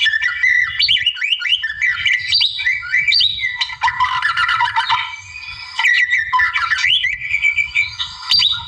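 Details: Energetic song of a wild white-rumped shama, aimed at provoking a rival: quick series of sharp whistled slurs and trills, a dense scratchy passage midway, then more whistled phrases.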